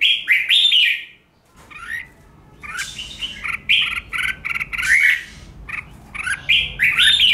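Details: Red-whiskered bulbul in heated competitive song for training caged birds: loud, tumbling whistled phrases open the recording, a brief lull follows, then rapid chattering and warbling phrases build steadily to the end.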